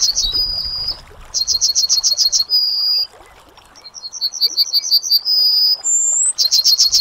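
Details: Yellowhammer singing: fast series of short, high, repeated notes, each ending in a long drawn-out level note. A higher upslurred whistle sits between phrases, with short quiet gaps.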